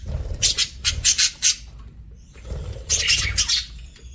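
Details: Feeding parakeets give two loud clusters of harsh, raspy squawks, each a quick series of four or five bright scratchy notes, separated by a second of near quiet.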